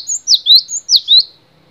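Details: Two crisp whistled phrases from a cinereous tit, each a sharp descending note followed by a rising slur, high-pitched and clean, from a long tutoring recording.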